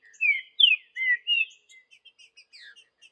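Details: Wild green-winged saltator in the bush giving four strong, clear whistles, slurring down then up, followed by a string of faint, short chips and twitters.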